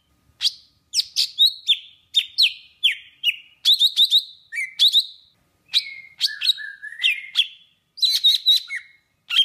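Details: Golden-fronted leafbird (Chloropsis aurifrons), song.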